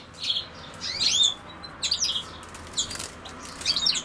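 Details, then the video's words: European goldfinch, with common sow-thistle, giving bright, jangling twitters and swooping whistled notes in short irregular phrases, about a second apart. "Carduelis Carduelis"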